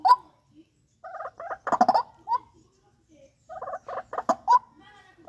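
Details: White-breasted waterhen from a breeding aviary: scattered groups of coarse, croaking notes with quiet gaps between them, the loudest burst near the middle.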